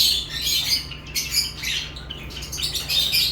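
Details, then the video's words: Continuous shrill lovebird chattering, overlapping high, scratchy chirps with small whistled accents and almost no pause, over a low hum. "Love birds chirping sounds"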